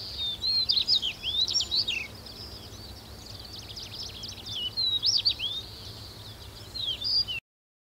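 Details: At Wakka Natural Flower Garden, a Stonechat delivers rapid scratchy twittering bursts mixed with thin whistled slurs, repeated with short pauses, over a quiet low rumble; the recording ends abruptly in silence.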